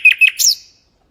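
A mangrove whistler gives two quick, clear chirps followed by a higher, brighter rushing note, all within about half a second; nothing else is heard.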